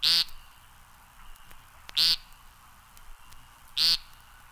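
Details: American Woodcock giving three short, nasal, buzzy notes, each a brief harsh burst spaced about two seconds apart, with quiet background hiss between them.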